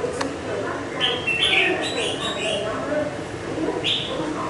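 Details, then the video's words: Partly moulted young red-whiskered bulbul, caged five months, sings a chattering cluster of whistled notes, then one more lone phrase near the end over low background noise. "Chào mào mộc dở"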